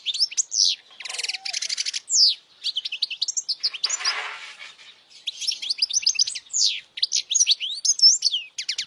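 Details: European goldfinch singing powerfully to teach young goldfinches, with rapid chattering trills, sweet rising chirps and a rough buzzy note in the middle before the twittering picks up again.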